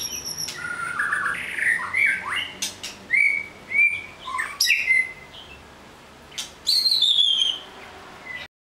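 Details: White-rumped shama delivering a rich song of whistled, slurred notes, sharp clicks and falling high trills in separate bursts, ending abruptly.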